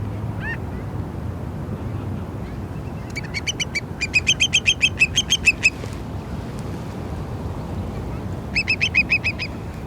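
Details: Whimbrels (curlews) take off at Malibu Lagoon State Beach, California, in June 2018. They give three bursts of very squeaky, whistled notes, each at about seven per second, over a steady rush of surf and wind.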